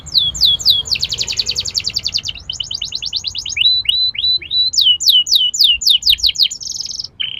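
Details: Atlantic canary song used as a lure to get young birds rolling and singing: rapid high trills and repeated sweeping downslurred whistles, delivered in fast runs of varied notes, with one buzzy trill near the end.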